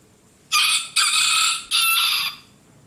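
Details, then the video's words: Rooster crowing in a natural setting: a loud, harsh, harmonic-rich crow in three joined phrases lasting under two seconds, with a short break after the first note, over a quiet background. "ROOSTER CROWING"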